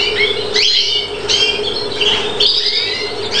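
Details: Aviary-bred European greenfinch from Chios, Greece, recorded in 2013: short bursts of bright twitters and upslurred chirps in quick succession over a constant low-pitched hum.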